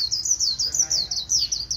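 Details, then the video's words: Caged white-eye, a neighbour's bird, in continuous líu warbling. It gives a steady stream of very high, sweet slurred notes that rise and fall, with tiny pauses, over a low background hum. "Khuyên líu cao cầu"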